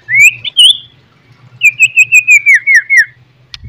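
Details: Morning White-rumped shama song for provoking rival birds: a rising whistled note and a higher slur, then a string of eight evenly spaced whistled notes that fall slightly in pitch, over a low background hum.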